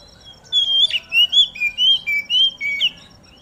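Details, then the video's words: Oriental magpie-robin singing while set out in the morning dew, its song used to prompt other magpie-robins to sing: a quick run of about eight loud, clear whistled notes, each slurred up or down, over a steady high pulsing buzz. "Burung Kacer Mana Yang Gak Bakal Ikut Gacor Ketika Dengar Suara Kacer Di Embun ini"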